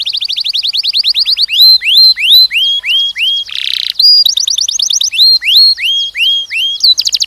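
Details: Canary song, young males and females trained for mating: quick trill of upswept notes, then slower loud rising whistles repeated about twice a second, a brief buzzy burst, and more rising whistles and trills.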